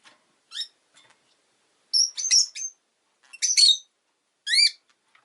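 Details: Pet rosy-faced lovebird chirping: four separate bursts of sharp, high, harmonic chirps, some rising and some downslurred, spaced about a second apart with silence between them.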